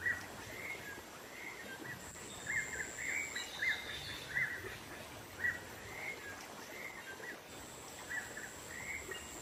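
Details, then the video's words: Lure sound of a black-naped monarch in the wild, mixed with nature sound effects: clipped chirps repeated at uneven intervals, some rising slightly, against a continuous high-pitched buzzing tone and constant ambient noise. "Suara pikat burung keci dialam liar"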